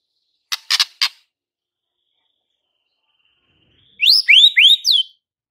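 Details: White-rumped shama singing to provoke fighter males: three sharp clicks, a quiet pause, then four swooping rising-and-falling whistled notes delivered quickly.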